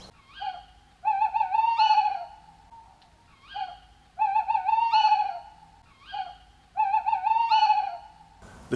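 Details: Male and female tawny owls calling together at night in the UK in mid-November, as they set up territories and pair: three phrases about three seconds apart, the female's sharp contact note followed by the male's long, quavering territorial hoot, with a thump at the end.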